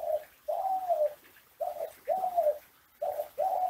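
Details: Classic Kelantan-style ringneck dove cooing, a training recording from Indonesia meant to coax other doves to sing: a brief note, then a long rolling coo, repeated three times in quick sequence.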